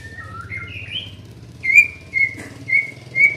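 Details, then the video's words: Young white-rumped shama being trained whistles soft, level and gently stepping notes, then repeats a pure, sustained whistle about every half second, with a low background hum. "Melatih Mental Murai muda"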